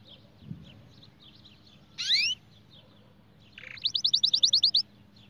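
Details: White canary singing: a loud rising whistled sweep, then a brief buzzy note and a fast bright trill of about a dozen repeated notes, with faint chirps from other birds in the background.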